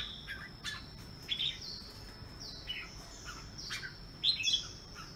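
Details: An albino red-whiskered bulbul singing in the morning gives two short, bright chirping phrases a few seconds apart over a thin, steady high whine and a few soft clicks.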